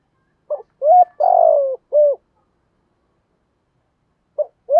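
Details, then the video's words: Spotted dove, 'giọng thổ' voice, cooing to lure wild birds: a short note and a rising coo, a long, level, buzzy-edged coo, then a brief closing note, followed by a pause and the next phrase beginning. "cu gáy giọng thổ thúc gù gáy gọi cực đỉnh giọng hay kích bổi hiệu quả"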